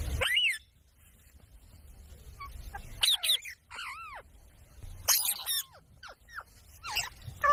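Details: Parrot from a talking compilation, making sharp squawks and bent, falling whistled notes in separate bursts with short silences between them.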